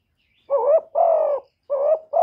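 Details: Spotted dove calling, urging and cooing: low, hollow coos, a wavering rising note followed by a long steady coo, then another two-part coo, in a quiet background.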